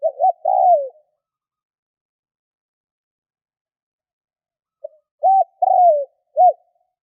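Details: Mellow phrases from a spotted dove: short notes leading into a longer descending coo, then a pause of about four seconds before another phrase ending with an extra short note. No other sounds.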